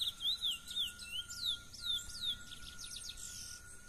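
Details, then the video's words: Wild brown-plumaged chestnut-bellied seed finch singing in nature, a wild song in the style called mateiro: clear whistled notes sliding downward in a quick series, then faster clipped notes, over a steady thin high tone. "Curió pardo na natureza - Belo canto silvestre (mateiro)"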